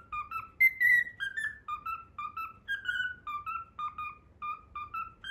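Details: A pet cockatiel whistles the learned Pythagora Switch theme tune. Clean, tonal notes in short paired steps, one longer higher slurred note, then rhythmic repeated phrases. The room is quiet apart from a soft low hum.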